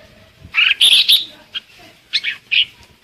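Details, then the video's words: A red-whiskered bulbul decoy sings to call the flock: bright, chirpy phrases of quick warbled clusters in two bursts, with a short pause between. "Chào mào hót gọi đàn"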